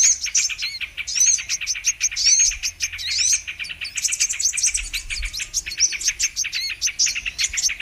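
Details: Brown-throated sunbird lure recording for catching birds: busy high-pitched twittering, with scratchy trills and several loud, bending squeaks dropping and rising in pitch, and a continuous chatter of sharp chips underneath.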